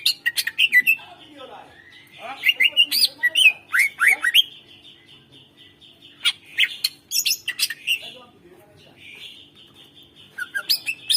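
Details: Greater green leafbird master song to prompt silent birds: long stretches of rapid chattering, squawky notes and swooping whistles in bursts, with brief quieter gaps between phrases and a faint steady hum underneath.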